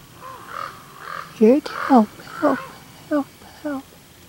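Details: Common raven calling in Cheeseboro and Palo Comado Canyon, Agoura Hills, California, on 17 January 2020: a loud run of hoarse, harmonic, downward-bending calls, about two per second, some doubled, with a quiet rural background.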